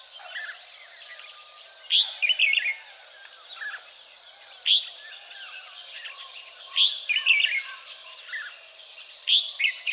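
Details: Red-whiskered bulbul, also called crested bulbul, an escaped cage bird now living wild in Kaohsiung, Taiwan, recorded 30 May 2015; short bright chirpy phrases come in bursts roughly every two to three seconds over a steady hum of background noise.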